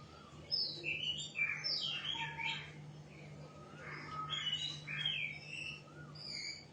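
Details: White-rumped shama song of varied whistled and warbled phrases, some slurred and rising, delivered in quick succession over a steady low hum in the background.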